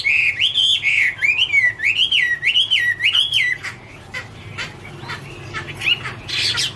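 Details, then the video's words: Chinese hwamei singing in autumn, 2017: a run of five rich, rising-and-falling whistled phrases repeated about once a second, then quieter varied warbles and a final loud burst; steady low background hiss. "" Autumn Love Song " Bird Garrulax canorus Singing- Birdsong [2017]"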